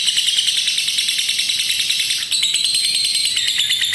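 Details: Lovebird in a long ngekek trill, a lure for stalled lovebirds and a master recording for young birds learning to trill; loud, shrill rapid chatter, unbroken, with a slight pitch shift past halfway.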